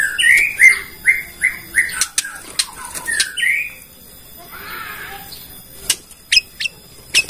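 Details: Bornean white-rumped shama lure song aimed at triggering other shamas: a series of short slurred whistles about three per second, a few sharp chips, then a lull with faint rustling and isolated high clicks.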